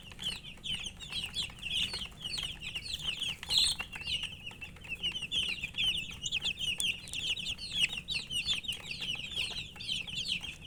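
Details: Poultry chicks, dyed in colours, chirping because they are thirsty for drinking water; a busy chorus of high piping peeps overlapping continuously, with small clicks and a soft low hum underneath.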